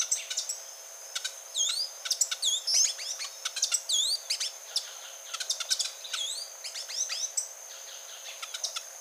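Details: Grey-and-gold tanager, a species resident in Colombia, Ecuador and Panama: quieter clusters of sharp high ticks and looping whistled notes in irregular bursts over a steady high insect-like hum.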